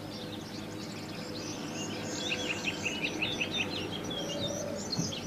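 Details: Black-headed bunting singing in the wild: a quick run of short chirpy and twittering notes, rising in the middle, over a steady low rumble of background noise.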